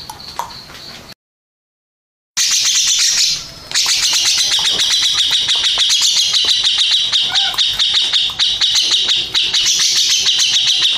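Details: Grey-cheeked bulbul, a first-place contest-winning bird, gives a loud, sustained high chattering song of rapid repeated notes after a short dropout, with sharp clicking sounds throughout.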